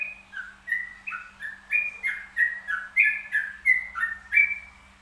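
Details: Perkutut (zebra dove) singing in the trucukan style: a run of short, stepped, purring coos repeated roughly every half second, gently undulating in pitch, over a quiet steady background hum.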